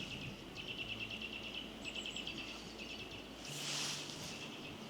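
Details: On an April morning in a forest in western Norway, a Eurasian nuthatch close by, responding to played sound, gives quick runs of thin, high piping notes, then breaks off as a brief rush of wind or rustling passes, with a low hum underneath.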